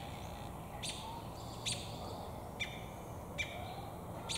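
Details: Five crisp, high chirps in just over four seconds, some with a short tonal tail, from an American robin in a tree carrying damselflies, possibly seeking a mate; low steady background noise.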